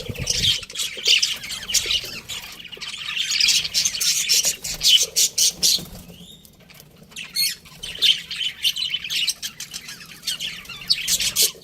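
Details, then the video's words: Budgerigars kept as pets, a breeding pair, give long runs of rasping chatter and sharp chirps, broken by a short lull midway before the squawky calling resumes. "budgies chirping sounds"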